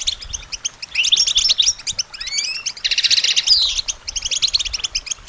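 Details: Goldfinch singing for songbird training, a dense liquid twittering with quick chirps, then a few upslurred whistles midway and a fast buzzy trill before the chattering resumes.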